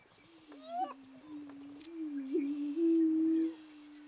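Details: Greater prairie chicken on a mating-dance ground: a continuous low droning moan rises into a loud, steady hoot near the end, with a sharp ascending whoop and faint higher chatter early on.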